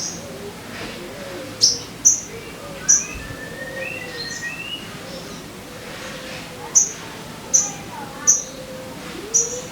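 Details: Sogon voice meant to coax caged birds into singing: piercing high chirps, first a pair, then a run of four near the end, over soft lower whistled slurs and steady background hiss.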